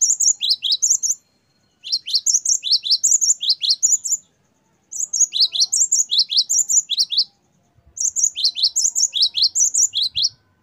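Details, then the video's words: A great tit (Parus major) sings bursts of high, bright chirping notes in rapid repeated phrases, each a second or more long and separated by brief pauses, with little else heard. "Gelatik batu gacor wucit variasi. Great tit. Singing birds. Parus Major. 大山雀."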